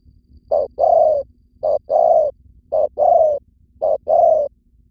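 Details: Spotted dove cooing as a decoy call to attract others, recorded in Vietnam: four pairs of a short coo then a longer soft coo, regularly spaced, over a quiet low hum.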